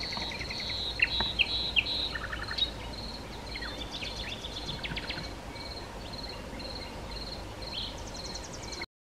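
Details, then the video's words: Common nightingale of the nominate subspecies megarhynchos singing at Sithonia, Chalkidiki, Greece, on 10 May 2020: sharp whistled notes, short rapid trills and dry clicks in varied phrases, over a steady pulsing high-pitched insect chorus. "Luscinia megarhynchos megarhynchos Αηδόνι on singing"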